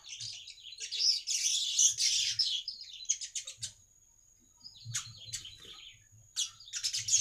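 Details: Baya weaver song used as a lure for other weavers: dense high buzzy chattering bursts and rapid ticking notes, pausing briefly mid-clip, then resuming, with a faint steady high tone throughout.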